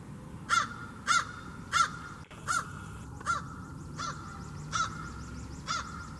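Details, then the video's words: Crows communicating with one another: a run of eight abrupt, harsh calls repeated roughly every two-thirds of a second, with a constant faint whine and low outdoor rumble behind. "More About Crows: And Two of their Calls"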